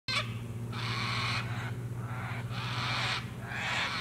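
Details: Sulphur-crested cockatoos calling at sunset near water at Lake Broadwater, Western Downs, Queensland, Australia: harsh, broad screeches about half a second long, three in four seconds, over a steady low hum.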